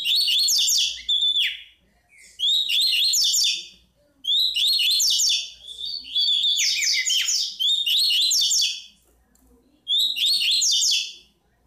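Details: Bico de pimenta, the chestnut-bellied seed finch, in Tui Tui style song: loud bursts of rich, rapid high warbling about every two seconds, separated by short pauses, some phrases ending in a dropping slur.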